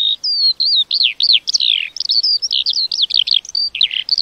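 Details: Continuous lark song: rapid high-pitched arched whistles and chirps strung together without pause, with a couple of short descending rasps, over a quiet background.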